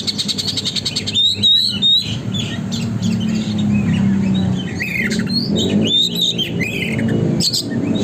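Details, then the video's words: Oriental magpie-robin in energetic song, meant as a lure to make the bird open its tail: harsh squawking bursts mixed with high whistles and chirps, over a steady low background rumble. "burung kacer gacor konslet,pancingan agar kacer buka ekor"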